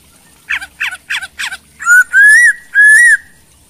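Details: Chinese hwamei in energetic song: four short downslurred notes in quick succession, then three loud, drawn-out whistles that rise and fall, each lasting about half a second, against a quiet background.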